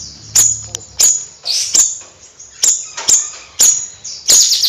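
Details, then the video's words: Bayeman bird giving piercing high notes, roughly one each second, some followed by short buzzy flourishes, over a faint low hum. "Suara Kicau Bayeman Nyrecet Gacor Kicau Bayeman Siri Siri"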